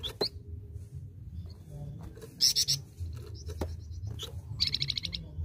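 Scarlet-headed Flowerpecker giving thin, very high chips and short rapid ticking trills, scattered through a few seconds over a low background hum.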